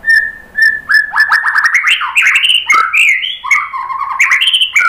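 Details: White-rumped shama lure song to make others answer: two short whistles, then a dense, energetic stream of rising and falling slurred notes and chattering phrases.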